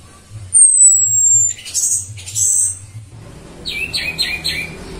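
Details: Female orange-headed thrush lure whistle: a single long, high, thin note sliding gently down, followed by buzzy squeaks and a rapid series of short chirps from other birds.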